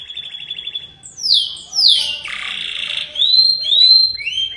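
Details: Atlantic canary (kenari) singing a long, unusual song pattern: a buzzy trill, then sweeping downward whistles and rising clear notes, high-pitched throughout.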